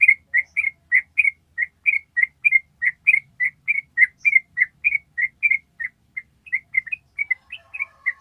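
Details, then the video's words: Long ropel of a Yellow-vented bulbul for bird training: a steady string of crisp whistled chirps, about two per second, with a faint low hum in the background. "SUARA TRUCUK ROPEL PANJANG"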